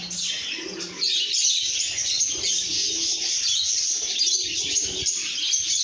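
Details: Lovebirds in good spirits: constant high, scratchy chirping chatter that grows louder after the first second, with soft low cooing notes beneath.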